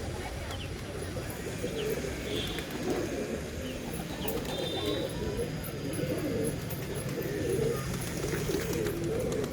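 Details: A flock of pigeons gives a dense bed of soft, throaty coos, overlapping without pause, with occasional faint high bird notes over the top.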